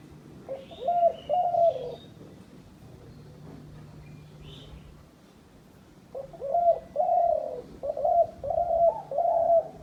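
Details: Dove used as a hunting decoy cooing in two bursts: three hollow coos at the start, several seconds of near silence with a faint chirp, then a longer string of six evenly spaced mellow coos.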